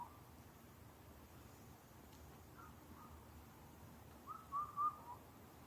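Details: Indian cuckoo, a rare visitor recorded in Karuizawa, Japan: a quiet stretch of faint background, then near the end one soft four-note whistled phrase, the final note dropping lower.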